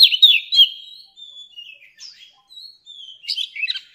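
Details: Song of an old wild-caught Oriental magpie-robin, played to teach young birds: a loud burst of rich warbled notes, then softer, spaced whistles and thin slurred phrases before a final lively flourish.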